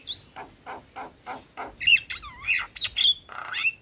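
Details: Javan myna in a tutoring recording for caged starlings that mixes in other starlings: a rising squeak, a steady row of five low nasal notes, then a wavering whistle and loud squeaky phrases.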